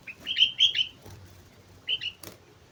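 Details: Sooty-headed bulbul singing energetically on Mount Slamet: a quick phrase of four or five bubbly, fluty notes, then a pause and a shorter two-note phrase, over faint background hiss.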